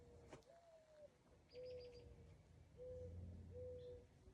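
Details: A Mourning Dove, locally called a rain crow, coos from somewhere up in the trees behind. It gives soft, low, hollow coos, each steady note held about half a second, while another bird adds brief high chirps over a faint outdoor rumble.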